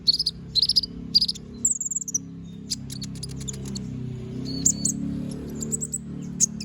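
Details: Little spiderhunter (kolibri ninja) delivering sharp, high trilled bursts and a short level whistle, then sparser chips, while a steady low, music-like hum runs underneath the whole time.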